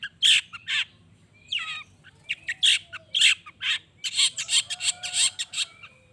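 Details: Long-tailed shrike song aimed at prompting other shrikes to call: loud harsh squawking bursts and rapid scratchy chatter, with a slurred downward whistle and faint thin whistles in the background.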